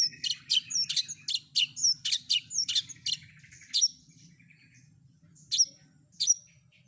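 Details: Long-tailed shrike, a combination filler song from a training recording meant to make other shrikes answer. Harsh chattering bursts come in quick succession, then scattered sharp high chips. A faint low hum runs underneath.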